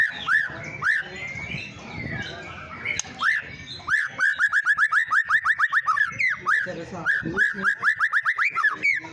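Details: White-rumped shama singing as a provoking lure: varied slurred whistles give way to rapid, evenly repeated sharp notes in long rattling runs, broken by brief pauses and renewed bursts.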